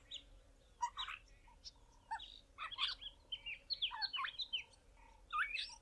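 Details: A juvenile Southern Boubou practising and learning its song in subsong: a rambling, uneven jumble of scratchy chirps and short whistled slurs, rising and falling irregularly with brief pauses, now and again approaching the adult call.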